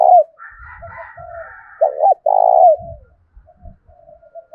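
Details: Spotted dove used as a lure to provoke other doves to coo. Low rolling coos: a short note, then a double hooked note and a long vibrating coo, followed by soft trailing murmurs and faint thumps.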